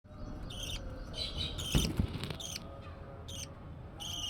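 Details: Budgerigar chicks, active in the nest. Short bursts of raspy, harmonic chirps come roughly every half second to a second over a steady low hum, with a couple of soft thumps in the middle.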